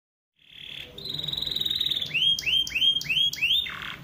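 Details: Canary song played to prompt other canaries to sing: a steady high trill, then a run of rising swept whistled notes repeated about three times a second, ending in a lower buzzy note.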